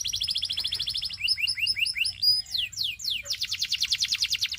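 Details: Canary of the Belgian breed sings a buzzy high trill, shifts into bouncing doubled chirps and long sweeping slurs, then resumes a rapid pulsing trill.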